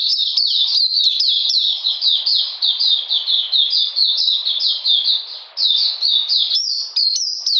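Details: Cold, rainy weather on 13 June 2020. An Oriental magpie-robin pours out fast, shrill, down-sliding whistles in a nearly seamless sequence, with a short break near the end before resuming higher.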